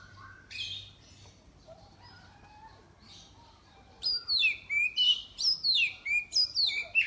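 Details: Contest Oriental magpie-robin, a caged bird from Miri, Sarawak, entered in an online singing competition. After quiet scattered notes, a burst of loud rapid song follows, with ringing descending whistles repeated in quick succession.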